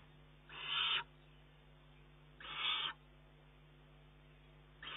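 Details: Young Eurasian eagle-owl, recorded 19 June 2011, begging from its mother and snatching food from her beak; rasping screeches roughly every two seconds, separated by quiet gaps with a low electrical hum.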